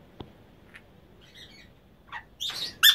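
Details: Breeding pair of Emma's conures (Venezuelan parakeets) give a few soft chirps, then two loud, harsh, grating squawks close together near the end.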